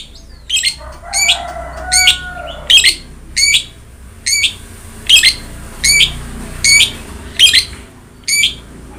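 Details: Long-tailed shrike singing as a training recording to prompt a lazy shrike: short scratchy high notes repeated about every three quarters of a second, with a faint steady tone behind the first seconds.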